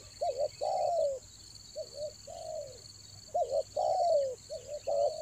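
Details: Spotted dove calling to lure wild doves in the rainy season: clear low coos in repeated phrases, a quick double note followed by a long descending coo, against a continuous high insect-like drone.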